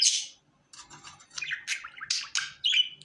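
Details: A happy pet budgerigar chatters in bursts: a bright high squawk, then a string of fast scratchy warbles and clicks, ending in a brief whistled note.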